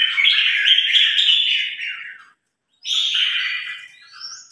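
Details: Newly acquired Red-whiskered bulbul, tested in a singing contest against a top provincial bulbul, gives loud, bright runs of chattering, warbled notes, pausing briefly before another fast bubbling phrase.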